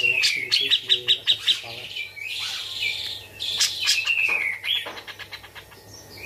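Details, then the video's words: A tame bearded bulbul with a red left eye and one white feather on its head sings rapid bursts of bright, sparrow-like chirps, with a few sliding whistled phrases woven through the busy, repeated chatter. "Cucak Jenggot Gacor isian grejaan"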